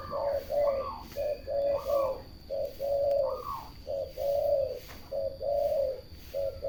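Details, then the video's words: Turtle dove song: mellow low coos in rhythmic groups, about one phrase every second. Short notes alternate with longer rolling coos, and a few brief higher inflections are heard over a quiet background. "The melodious sound of turtle doves"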